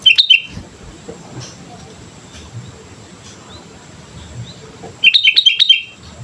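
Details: Sooty-headed bulbul in active song as a lure: a short chirpy burst at the start, near silence, then a longer run of rapid bright whistled notes at the end.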